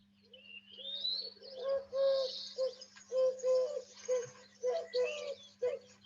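Collared dove cooing: soft, low, hollow notes in short three-part phrases, repeated steadily. Higher chirps and twitters from other small birds sound in the background.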